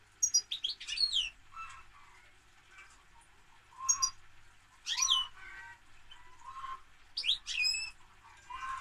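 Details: European goldfinch in fuller song: high, tinkling twitters mixed with lower, sweeter warbled notes, in repeated phrases across the whole stretch with only short pauses.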